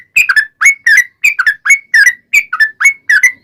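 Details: Yellow-vented bulbul song that serves as a lure for other bulbuls: paired liquid notes, each couplet slurring down then up, repeated roughly twice a second in a clean, even rhythm.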